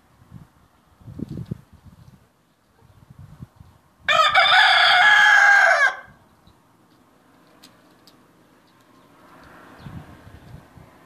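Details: Domestic cock producing a single loud, ringing crow of about two seconds, with faint low rumbling and background noise before and after.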